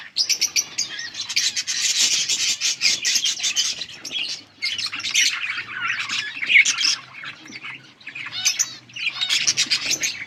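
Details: Yellow budgerigars produce dense twittering chatter in long bouts, high warbled phrases and sharp clicks separated by short pauses, with a faint low hum beneath.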